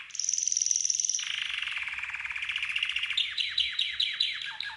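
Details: Red canary training song: a long high trill that drops into a lower buzzy roll, then fast repeated descending notes, all clean with no other sounds.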